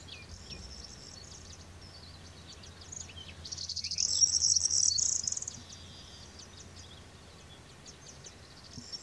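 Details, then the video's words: A pair of European greenfinches, one feeding the other, give a two-second burst of rapid, high, buzzy twittering over scattered thin chirps, with a low background hum throughout. "Verderón, pareja cebándose"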